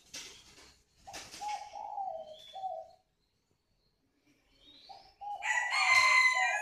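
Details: Spotted dove calling coo, two low three-part cooing phrases separated by a silent pause, mixed with rustling bursts, a brief high whistle and a loud scraping noise near the end.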